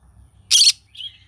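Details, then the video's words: Green-cheeked conure in the morning giving one loud, harsh, raspy screech followed by a softer, thin chirp that trails off, over faint low background hum. "Green cheek conure singing sounds in the morning"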